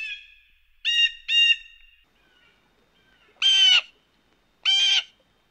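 A blue jay gives a quick pair of nasal, ringing calls, then two longer, harsher jeers a second or so apart, all bright and high-pitched against a quiet background.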